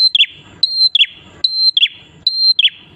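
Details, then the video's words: Prinia (prenjak klawu) singing persistently so that other prinias join in. Short bursts: a held high whistled note ending in rapid falling chirps, four phrases in quick succession over near silence. "KICAUAN BURUNG PRENJAK KLAWU/ATAS GACOR"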